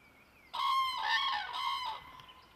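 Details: Common crane (Grus grus) at a nest with eggs and chicks by a small pond gives a loud, rolling trumpet call of about one and a half seconds in three rough bursts, after a faint thin bird note.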